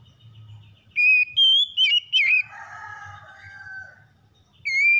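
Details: Magpie-robin singing in the morning: a string of clear whistled notes, some steady and some sliding, followed by a softer pause and another high whistle.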